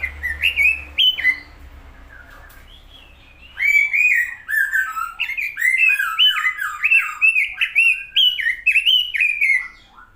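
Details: Robin singing energetically: long rapid strings of rising and falling whistled, warbling notes, tumbling phrases with short gaps, over a faint low hum.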